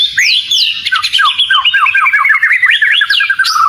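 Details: Oriental magpie-robin (kacer) in vigorous bait song. Loud swooping whistles open a rapid chattering cascade of short descending notes laced with harsh buzzy tones, then more sweeping whistles.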